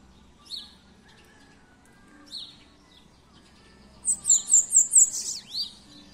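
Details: Two isolated sharp high chips from a Bananaquit, spaced about two seconds apart, followed by its full song of five quick piercing notes, a buzzy trill and a closing sweep; faint steady hum in the background.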